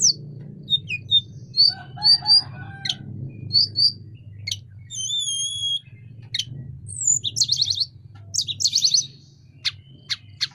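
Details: Sunda robin singing vigorously while opening its wings: scattered high whistled notes and short buzzy phrases, rapid trilled bursts near the end, with a faint low hum underneath.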